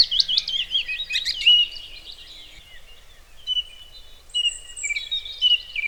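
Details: A Song Thrush in May forest in Wales, UK, mimicking a Cuckoo, sings a burst of rich, twisting, high phrases, then after a pause a few clear, level whistled notes, over faint background hiss.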